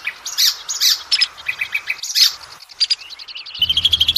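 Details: Oriental magpie-robin lure song for established and juvenile birds; harsh repeated chip notes and short whistles, then a fast, even trill of rising notes with a faint low hum at the end.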